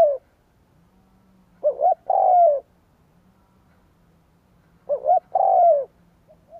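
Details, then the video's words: Spotted dove giving its full cooing phrase, used to lure wild doves. Each phrase is a quick two-part note followed by a long falling coo, repeated about three seconds apart. Quiet background. "Tiếng cu gáy kích bổi cực nhạy / CU gáy thúc gù gáy đủ bài kích bổi cực nhạy"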